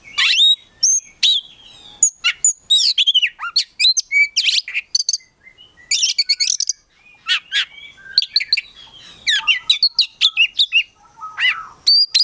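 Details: Prospect Oriental magpie-robin from a collection in vigorous full song rich in mimicked fill-in phrases, mixing squeaky notes, chattering bursts and sweeping whistles in a fast, nearly continuous stream.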